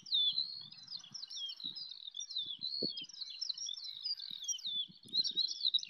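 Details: Eurasian skylarks singing in flight over a wheat field full of them near Bath, England, recorded on an iPhone: a continuous high, rapid warbling of trilled and slurred notes, with soft low thumps of wind or handling beneath.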